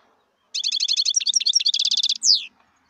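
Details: A wild European goldfinch gives one rich song phrase of quick, tinkling repeated notes running into a rapid buzzy trill and ending in a drawn-out downward-slurred note. Very faint low background noise.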